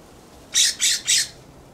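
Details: California scrub jay perched on a plum tree in a backyard, giving loud harsh scolding calls: three rasping, broadband notes in quick succession, each about a fifth of a second, over a quiet background.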